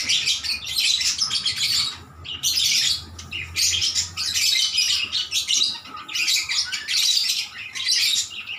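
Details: Lovebirds singing in reply to one another: harsh, high chattering in repeated bursts, broken by short quiet gaps over several seconds.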